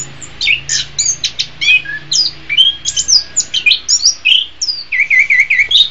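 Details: Anis kembang, orange-headed thrush, pouring out rapid, evenly paced high notes, sharp and chirpy, closing with a run of repeated looping whistles, over a faint low hum.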